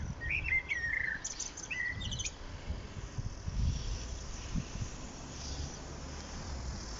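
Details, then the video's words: Common blackbird singing on 1 April 2021 in Lanfertsweg among daffodils: low fluted warbling phrases followed by a brief high, scratchy twitter, then a quieter stretch with background rumble. "singende Amsel"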